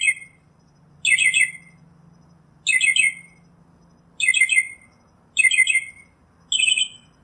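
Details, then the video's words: Northern mockingbird delivering harsh, rasping chattered phrases about half a second long, repeated every one to one and a half seconds against a quiet background. "Northern Mockingbird Song, Sound, Voice, Call, Melody - Sinsonte Canto - Mimus Polyglottos"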